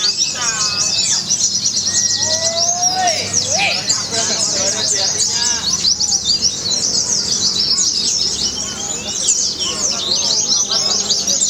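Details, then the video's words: Singing white-eye entered in a Semarang, Indonesia bird contest, keeping up an unbroken, very high twittering 'nembak' song, joined by further birds, occasional whistled phrases and background people talking. "Aksi pleci MARSINAH burung mewah nembak tanpa lelah durasinya ngeri brooo"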